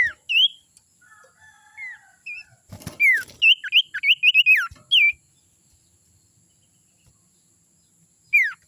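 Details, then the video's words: Young wild sirtu calling, a sound used as a lure for other birds: clear slurred whistles, then a rapid string of about eight looping notes, brief crackling noise in between, and one falling whistle at the end. "suara sirtu muda hutan ini suara ampuh pancingan"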